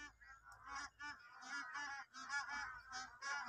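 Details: Bar-headed geese, a large flock in Kaziranga National Park's Eastern Range, India, honking almost continuously: many harsh, nasal, clipped notes overlapping in a busy chorus, pulsing slightly faster than once a second.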